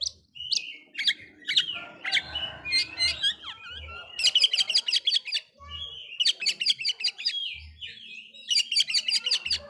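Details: Oriental magpie-robin singing to provoke other magpie-robins: opening whistles and chips, then repeated bursts of rapid scratchy chattering notes separated by short gaps, loud throughout.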